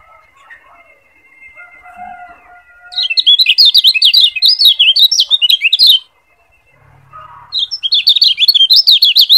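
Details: Lombok yellow white-eye (kecial kuning) tutor song meant for training other birds: soft thin whistles, then a sustained stream of rapid high twittering, a pause, and another quick burst.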